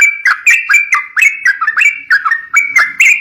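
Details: Rapid, rollicking whistled phrases of a yellow-vented bulbul, used to lure young birds, with short slurred notes tumbling one after another in a continuous chatter.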